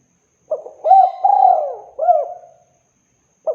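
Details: Spotted dove call used for luring birds: a clear, mellow cooing phrase of a short note, two drawn-out coos and a falling final coo, then a fresh phrase beginning.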